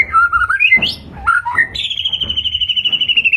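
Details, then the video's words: A murai batu (white-rumped shama) whistles a few fluting notes, then holds a long, fast, even trill on one high pitch. Intended as a lure to provoke response. "Suara Burung Murai Batu, Pancingan Gacor Untuk Terapi Burung Murai Agar Cepat Respon"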